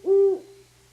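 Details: Great horned owl; hoot; pairs court and call to each other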